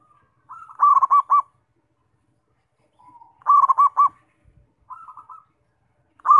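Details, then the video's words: Actively singing zebra dove, used as a lure to make other doves sing: two full phrases, each a soft rolling lead-in and four loud rhythmic coos, separated by a short soft trill. "PERKUTUT GACOR BUAT PANCINGAN"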